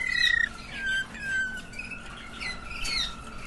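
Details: Waterslager canaries sing clear, sustained whistles that slide slowly downward, broken by bubbling watery trills ("water tours"), klok notes and a few higher chirps.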